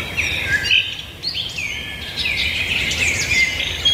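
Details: Several birds singing together: overlapping high whistles and sliding, warbled phrases that rise and fall, forming a continuous bright chorus with short louder bursts.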